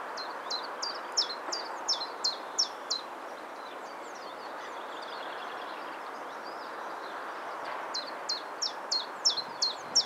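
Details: Common chiffchaff singing: a run of about a dozen sharp, high, downward-flicking notes at a steady pace over three seconds, a pause with faint distant bird chirps, then another similar run, all over a constant low rushing hiss.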